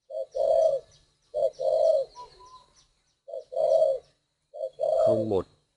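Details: Spotted dove from northern Vietnam, a bird kept at a breeding facility, giving low, hollow cooing phrases: a short lead-in note followed by a longer drawn coo, repeated four times at intervals of about a second and a half.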